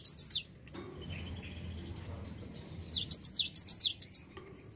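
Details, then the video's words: Java sparrow sound meant to coax a lazy bird into song: brief high chirps, a pause with soft low noise, then a lively series of about eight loud descending chirps. "Pancingan Gelatik Malas Bunyi"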